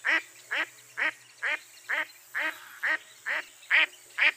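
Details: Mottled duck calling with repeated nasal, harsh quacks, about two each second, fairly regular, each note short and broad-toned against a quiet background.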